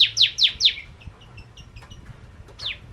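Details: Bar-winged prinia (prenjak jawa) in lively 'ciblek kristal' lure song: four sharp, high downslurred notes in quick succession, then fainter scattered chips and one more downslurred note near the end.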